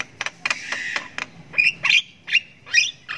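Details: Javan myna youngster, locally jalak kebo, in long ngriwik chirping while practising sounds; quick raspy ticks give way to several squeaky, rising whistled notes.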